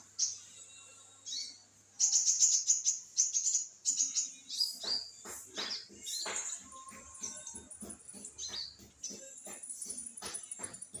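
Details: Olive-backed sunbird singing hard, with rapid, high-pitched sparkling twitters and sweeping squeaks. Loud fast clicking and rattling sounds, about three or four per second, run through the song.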